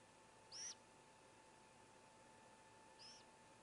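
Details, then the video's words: Great gray owl owlets in a nest of four, the youngest working to swallow a whole vole; a sharp high screech, then a softer one about two and a half seconds later, over low background hum. "Great Gray Owl - 3 Cheers Youngest Swallow Whole Vole"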